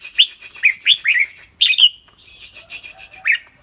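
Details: Caged red-whiskered bulbul with a clear voice, singing and chattering: a quick run of bright, slurred chirps, then a sustained whistled note and softer repeated notes ending in one sharp chirp.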